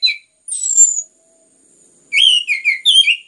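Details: Orange-headed thrush, a song bird kept by hobbyists in Indonesia, in a recording meant to stimulate other birds to sing: a loud descending whistle, then a dense run of varied sweet whistled phrases and chirps.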